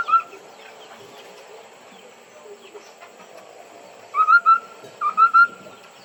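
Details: Singing white-browed laughingthrush calling to lure other birds. After a quiet stretch of faint notes, loud pure whistles arrive in quick pairs, each note rising slightly, repeated three times.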